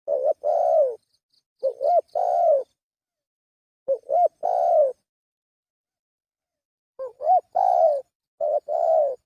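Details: Spotted dove lure call: three clean bursts of mellow, hoarse cooing, each made of short rising-falling notes followed by a longer drawn-out coo, separated by pauses of a second or more, against silence.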